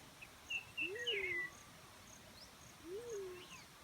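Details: Black-chinned fruit dove giving two low, soft hooting notes about two seconds apart, each rising and then sliding down. Higher, thin chirps from other birds sound early on.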